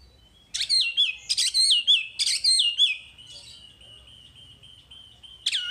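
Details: Wambi song for masteran: five loud rapid notes, each dropping sharply into a short whistle, followed by a long steady drawn-out whistle and a final sharp note.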